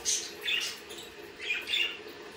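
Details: Budgerigar chirps, short bright squeaky notes in two quick pairs, sharp and high, over a quiet hum.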